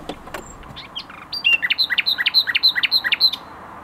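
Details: Common nightingale in a garden at Tokat, Türkiye: varied scratchy opening notes, then a fast rhythmic series of about fourteen loud, clear repeated two-part notes delivered in under two seconds, stopping abruptly.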